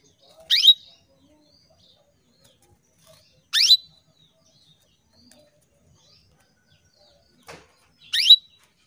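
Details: Calls of a female canary beckoning males, meant to trigger male song: three sharp, rising chirps at irregular intervals of about three to four and a half seconds, plus one soft click in the quiet gaps.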